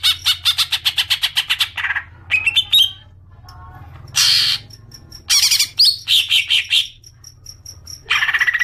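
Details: Lure call of a green magpie, played to trigger prolonged chattering: a fast series of harsh notes, then varied rising squeaks, short noisy bursts and scattered thin high pips, ending in another harsh rattle.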